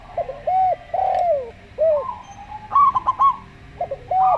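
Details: Slow-voiced local zebra dove song, short stuttered trill bursts, mixed with a Javan derkuku's calm hooped coos and a long descending coo; faint low background hum.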